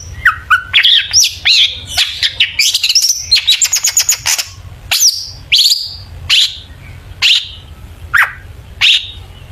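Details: Energetic long-tailed shrike song, used as a lure to make other birds sing: mixed whistles and harsh notes, a rapid clicking series mid-way, then spaced sharp falling whistles.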